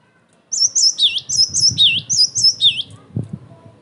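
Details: Energetic cinereous tit song, intended to draw replies from other tits and to train captive birds: three bright phrases of two high notes and a lower looping whistle, delivered briskly over soft background clatter.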